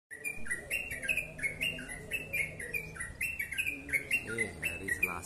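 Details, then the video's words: Yellow-vented bulbul singing a long, dense, fast ropel-style song: rapid, bubbly, slurred notes jumping between two pitch levels in quick succession, with faint low murmur beneath. "Crucukan ropel panjang gacor sped rapat"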